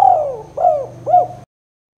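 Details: Spotted dove, kuk 2 style coo used for luring and prompting birds: three soft coo notes, the first falling and the others short and arched, over a steady low hum.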